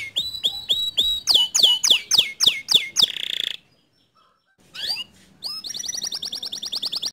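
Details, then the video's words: Canary song used to rouse a silent canary: evenly repeated sweeping whistles about four per second, a buzzy burst, a short pause, then a quick trill. "Memancing Emosi Kenari Malas Bunyi Agar Ikut Gacor Dengan Kicauan Kenari ini"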